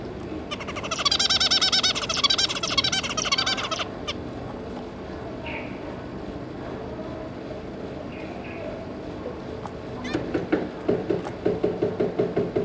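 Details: Zebra finches, a pair of adults with three young, recorded on 5 August 2022. About three seconds of rapid, nasal, buzzing chatter, then a pause with soft isolated notes and renewed rhythmic calls near the end.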